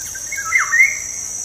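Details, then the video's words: Black-naped oriole song used as a lure to stir kept birds into singing: one fluty, liquid whistled phrase swooping down and back up, over a steady high insect drone. "PANCINGAN SUARA BURUNG KEPODANG"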